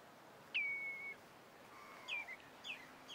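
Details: Pied avocet at Titchwell Nature Reserve in September 2016: one clear whistled note that drops sharply, then holds level for about half a second, followed by fainter, shorter clipped notes later on.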